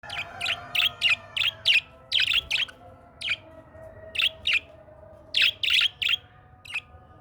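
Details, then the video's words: An Australian parrot in natural forest surroundings gives bright, sharp chirps, often in quick pairs and triplets, about three a second, with uneven pauses and a faint hiss behind. "Amazing Australian Parrot 🦜 Singing"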